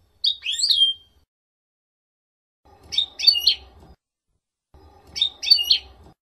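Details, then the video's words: European goldfinch song on a training recording for young birds to learn the F.O.C.S.E code; three short bright twittering bursts, each about a second long, separated by pauses, with faint low background hum under the later phrases. "CD JILGUERO F.O.C.S.E 30min para educar a jilgueros noveles. Chardonneret Goldfinch"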